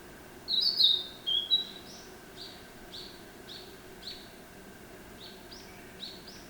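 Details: Narcissus flycatcher song: a loud, high, sweet whistled phrase of a few quick notes, then a second shorter phrase, followed by faint, spaced high notes repeated roughly every second against a quiet hiss.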